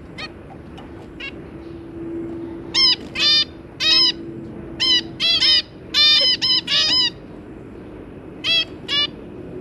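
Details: Zebra finches, a parent pair with three juvenile young, 2 August 2022: a run of loud, nasal, trumpet-like beeps, often in pairs or triplets, over a steady low hum.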